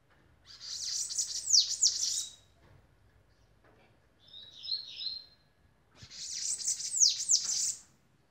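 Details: Bananaquit song in Brazil: two bursts of high, thin, buzzy, wheezy trills with quick descending sweeps, separated by a softer warbled phrase.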